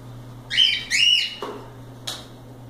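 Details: Playing cockatiels give two rising whistled notes followed by a sharp click-like tap, with a steady low hum behind.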